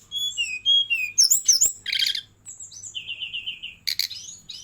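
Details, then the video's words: Brown-chested jungle flycatcher in vigorous song with rapid, varied filled-in phrases: high whistled slurs and downslurred notes, a buzzy trilled burst, then a run of about seven quick clear notes and a harsh rattling chatter. "Kumpulan Kicauan SRDC Gacor Nratak Nembak Isian"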